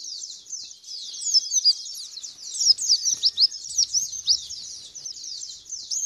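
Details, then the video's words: Lure recording of white-eye song: a soft start building into loud, rapid high chirps and sharp down-slurred whistles through the middle, then easing off. "Pancingan Pleci Biar Ngalas dan Bukpar"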